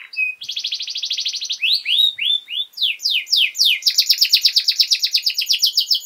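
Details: Canary singing as a tutor recording for young birds, with a short whistle, a long rapid buzzy trill, slower sweeping downslurred whistles, then a fast repeated chattering series of bright notes.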